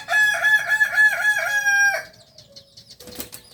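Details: Kokok Balenggek rooster, the singing chicken native to Solok, West Sumatra, farm-raised in Solok city: a clear two-second crow of about eight evenly rhythmic stepped notes ending on a fading low tone, then a brief rustle.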